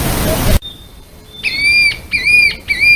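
Narrow-billed Woodcreeper song: three loud, clear whistled notes, each drawn out with a slight dip at the end, about half a second apart, after a brief burst of noise.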